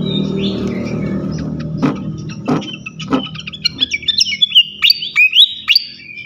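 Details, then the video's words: Flycatcher lure song aimed at provoking other flycatchers. After a soft whistle and low rumble, a series of loud, sharp chirps speeds up toward the end. "Auto Konslet gacor ngeplong sikatan manapun sekali pancing ini."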